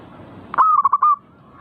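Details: One zebra dove (perkutut) phrase in manggung style, meant to get birds singing. A sudden sharp note leads into four or five quick, rounded, evenly spaced coos. A faint trailing coo follows.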